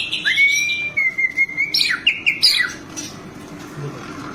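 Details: White-rumped shama in full fill-laden song for tutoring captive birds: a long steady whistle held for almost a second, then a quick run of rising and falling notes before quiet.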